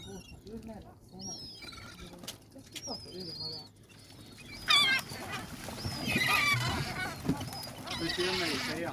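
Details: Gulls by the sea giving harsh, squealing calls in short bursts, loudest near the middle, over steady wind and surf noise with people talking in the background.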